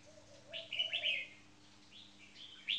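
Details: A caged red-whiskered bulbul, a first-position marathon frequency singing bird beside a newly caged one, gives a quick bright warbled phrase, then another short chirp, over soft low gliding notes.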